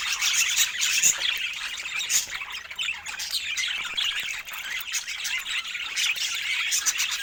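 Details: Budgerigar chatter: constant high squawks, chirps and scratchy warbles overlapping with one another, with brief louder bursts throughout.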